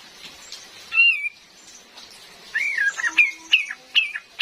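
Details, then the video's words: Calls of a female cream-vented bulbul, meant for luring birds in the forest, with rain: a single drooping whistle, then a burst of wavering and sharp downslurred whistles in quick succession, over steady rain noise. "SUARA ASLI KAPAS TEMBAK BETINA"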